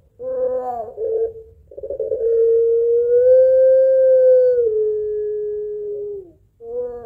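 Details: Puter pelung barbary dove calling its mate in a long, lively crying-laughing style used as a lure: a short warbled note, then a long steady hum-like tone that swells and slowly falls over about four seconds, with another note beginning at the end.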